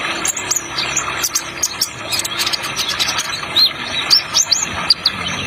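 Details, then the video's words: High-pitched bird twitters and thin rising chirps, in brief irregular bursts, set against a constant background of running-water sound effect. "Terapi Kolibri Ninja Trotol"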